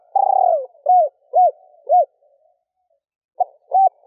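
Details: Female spotted dove cooing to arouse males in a stuttering style with three trailing notes. One phrase of a long falling coo and three arched notes, then short opening notes of the next after a brief gap.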